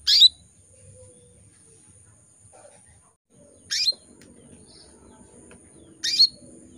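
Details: Calls of a female canary in breeding condition luring males: three sharp high chirps at roughly three-second then two-second intervals, each buzzy sliding into a brief whistle, with faint low noise and a soft distant note.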